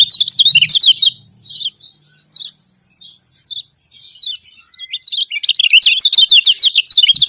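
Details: Yellow white-eye from Lombok singing as master material to stir other birds to sing: rapid high twittering runs of thin, darting notes, in dense bursts at the start and again at the end, with sparse single chirps in a quieter middle stretch.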